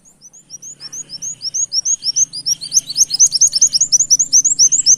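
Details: Brown-throated sunbird singing in a canary-like style, used as a lure recording: rapid series of high, thin upslurred whistles, about four per second, growing louder and denser, with a faint low hum beneath.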